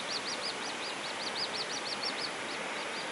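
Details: Little grebe family on a pool at a nature reserve in Gronant, Flintshire, Wales, on 26 May 2025, in the rain: high, thin, arched peeps repeated about five times a second against a steady hiss of rain.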